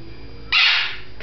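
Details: Female red-fronted macaw during flight training, refusing to come when called and just being loud: one harsh, raspy squawk, loud and about half a second long, after a quiet pause, while a person talks nearby.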